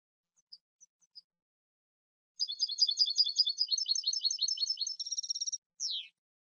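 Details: European goldfinch song from a recording made for a song CD: a few faint, high isolated notes, then a dense burst of rapid, tinkling twittered notes lasting about three seconds, ending with a downslurred note.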